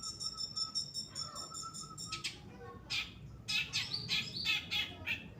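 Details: Long-tailed shrike of the Pastol form, recorded in full song for tutoring other birds: a steady thin whistled tone with a sharp rattling pulse, then bursts of loud harsh chattering and squealing notes.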